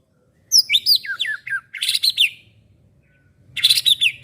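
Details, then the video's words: Young white-rumped shama, a caged bird, delivering a loud varied song: steep whistled down-slurred notes in quick succession, then harsh buzzy bursts, a pause, and another rasping phrase. "MB MUDA CALON MERAMAIKAN TIANG BESI DI KELAS NY COCOK BUAT PELAPIS"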